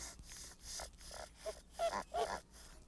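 A goose gives a run of breathy, rasping hisses, about five short bursts in under three seconds, growing louder toward the end.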